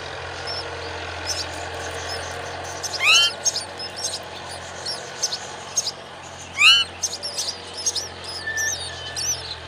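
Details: A myna feeds a spider to its chick. Two loud, sweeping calls sound several seconds apart, rising sharply, over a background of faint high twitters and scattered soft chirps.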